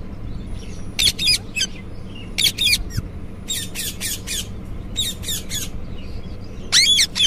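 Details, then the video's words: An Indian ringneck (rose-ringed parakeet) gives harsh, grating squawks in bursts of two or three, with short pauses between; faint low room hum underneath. "Ringneck Parrot"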